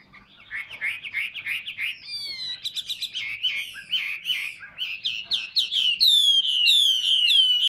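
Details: Caged hwamei pouring out a fast, continuous warbling song of bubbling notes that grows louder and climbs into bright, ringing, descending whistles toward the end.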